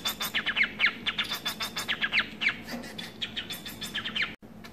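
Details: Society finch, a domesticated pet munia, giving a fast series of short buzzy, descending chirps repeated about four times a second, with steady background hum and a brief dropout near the end.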